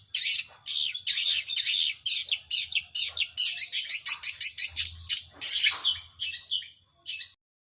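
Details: Power sobek style song of a long-tailed shrike: fast, harsh chattering bursts of scratchy high notes, about two a second and unevenly spaced, trailing off near the end.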